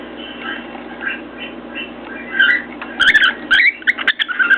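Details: Indoors, a cockatiel sitting on its cage and pecking at a mirror gives soft, muffled whistled notes at first, then a louder burst of quick chirpy whistles broken by sharp knocks.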